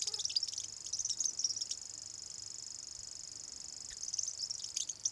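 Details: A first-calendar-year male Common grasshopper warbler (Locustella naevia) sings at Voksa, Norway, answering playback of an adult male. It reels continuously in a high, dry, insect-like trill, with brief chirps from other birds at the start and end.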